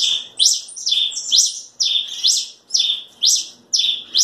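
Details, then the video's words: Red pileated finch singing a fast, steady series of high two-part notes: a flat, thin whistle, then a sharp upward sweep. Each phrase repeats roughly twice a second with short gaps, over a quiet background. "Tico Tico rei"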